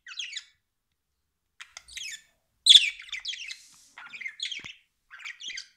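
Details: Pet budgerigar chattering in scratchy, squeaky bursts, one louder sharp squawk near the middle, separated by short silences.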